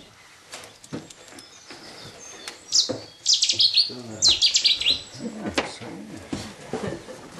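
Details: Showy Cetti's warbler singing, filmed from the bittern hide at RSPB Minsmere on 3 June 2011: two loud, explosive bursts of rapid, sharp notes in quick succession, over a quiet man's voice and faint background twitters.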